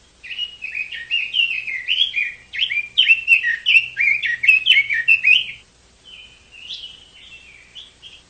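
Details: Chinese hwamei pouring out a long, rapid stream of varied slurred whistles for about five seconds, then softer, longer drawn whistled notes after a brief pause.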